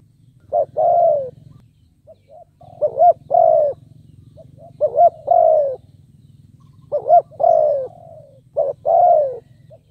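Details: Spotted dove, a decoy bird calling to lure wild birds, gives deep two-part coos: a short rising double note, then a long mellow falling coo, repeated about every two to three seconds, with quiet softer notes between and a low steady hum.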